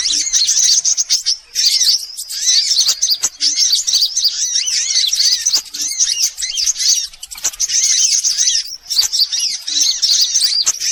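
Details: Lure call of sunbirds for catching birds: long bursts of dense, piercing twittering, broken by short near-silent gaps every two to three seconds, with faint low clicks in the pauses.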